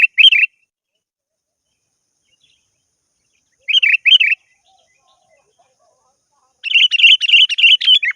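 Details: Sooty-headed bulbul calling a rival: brief bubbly warbled phrases separated by long silences, then an excited rapid chatter of about a dozen repeated notes closing the sequence.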